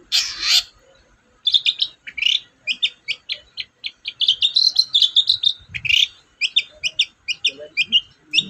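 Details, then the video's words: Long-tailed shrike, a lure recording meant to prompt a quiet shrike to sing, delivering a fast, varied chattering song of rapid high buzzy and whistled notes, with short bursts and brief pauses, then a harsh rasp near the start. "BURUNG CENDET GACOR DOR, MEMANCING CENDET DIEM AUTO NYAUT GACOR"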